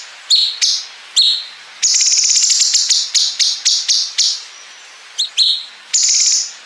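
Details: Bulbul (cungkok) song for training competition songbirds, with long 'bren' fill joined to 'ngepik' notes: shrill chirps lead into a long buzzy trill, then a quick run of separate ticking notes, chirps and a final rattle.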